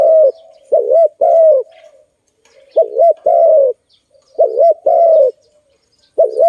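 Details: Close zebra dove coos during bird trapping, paired phrases of a trilled double note and a longer falling coo, spaced by gaps of about a second, with faint chirps.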